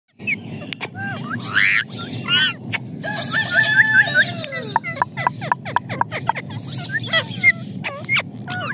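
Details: Parrot vocalizing with a varied mix of whistles, squawks and short rising and falling notes, some repeated in quick series, over a constant low background rumble and occasional clicks.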